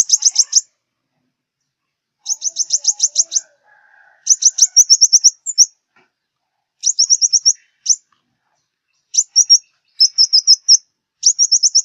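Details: Sunbird song, the southern Vietnamese five-colour sunbird, used for glue-trap luring: repeated short bursts of rapid needle-thin chips, each group of five to ten notes, sometimes trailing into a brief whistle, separated by silences.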